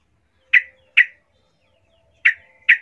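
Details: A female bulbul calls to males with four short, harsh chirps in two pairs, each pair about half a second apart, with a long pause between the pairs.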